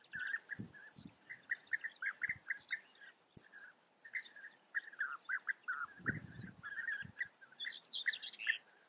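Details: A chorus of European bee-eaters, their short burry calls following each other in quick irregular runs, with thin high notes near the end and occasional low thumps.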